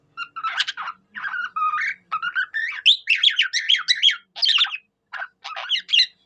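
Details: Budgerigar mimicking a cockatiel: a long, lively string of chattering warbles and wavering whistles that quickens midway into rapid repeated chirps, then breaks into separate short notes.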